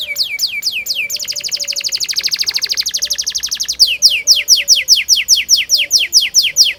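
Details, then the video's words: Canary 'gacor' rolling song for training young canaries: opening downslurred chirps, then a long rapid buzzing roll, then crisp high notes repeated about three per second. "Burung kenari gacor panjang Cuit Cuit ngerol Pancingan Kenari Paud belajar bunyi"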